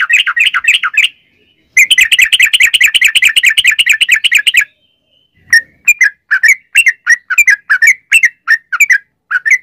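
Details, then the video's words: Yellow-vented bulbul in a long rapid 'ropel' song used as bait to start other bulbuls singing: two bursts of fast dense chatter, then a looser string of separate liquid chirps. "trucukan gacor ROPEL PANJANG buat pancingan trucukan agar bunyi"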